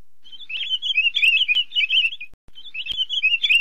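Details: Female great-billed seed finch singing: a rapid warbling chatter of twittering notes at a steady middle-high pitch, running for about two seconds, a brief break, then resuming, with a few sharp clicks.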